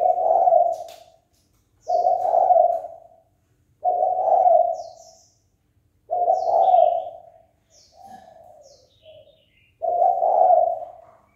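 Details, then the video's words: Spotted dove giving its fight-provoking call: low, throaty coo phrases repeated about every two seconds, five full ones and one weaker, broken phrase. Faint high chirps are scattered in the background. "Cu gáy chơi cực hay kích bổi đấu ngay!"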